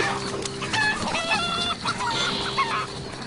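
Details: Chicken; aerial alarm call; warning of a bird of prey swooping overhead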